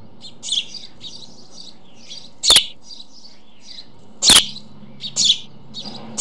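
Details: Nesting white storks in Vetschau, four chicks present and the fourth just hatched, recorded 9:20 on 21 May 2011: busy high-pitched twittering chirps in uneven bursts, with several loud sharp clicks and a faint low hum beneath.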